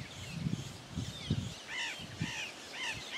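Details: Pair of blue-winged macaws in the sertão of Bahia: repeated harsh, arched calls with rich overtones come in a run of three, over low rustling and thumping.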